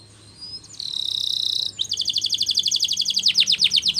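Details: Spanish Timbrado canary song for training: a steady ringing tone held for about a second, then a fast pulsed trill of repeated sweeping notes, about four per second, growing louder.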